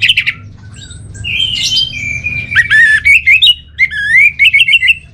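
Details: Orange-headed thrush singing a lively, varied song: a soft opening, then loud whistled slurs and quick repeated rising notes in short bursts, with a faint low hum behind.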